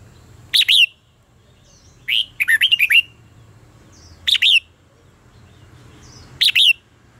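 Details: Red-whiskered bulbul, contest singing used as a training decoy: bright whistled phrases recur about every two seconds, one a fast rolling string of five wavering notes, others short two-note bursts, with a low background hum.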